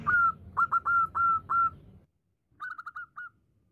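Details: Female zebra dove calling the male with loud, clear whistled coos in a quick series, a short silence, then a softer run of five rapid whistles, over a low rumble.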